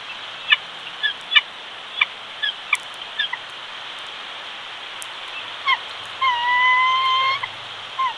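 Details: Bald eagles at their Big Bear nest in California, the male delivering fish to the single chick: irregular high piping chips, ending in a long, steady whistled note and one last chirp, with constant background hiss.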